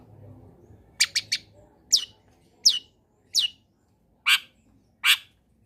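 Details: Sparse song of a long-tailed shrike, played to encourage silent shrikes to join in: a quick triple of high chips, then single sharp descending notes spaced under a second apart over a faint low hum.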